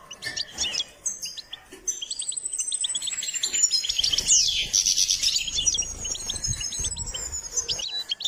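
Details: Goldfinch in song training: steady twittering chips with a long, thin, high sustained whistle running through the middle, and a brief louder buzzy flourish midway.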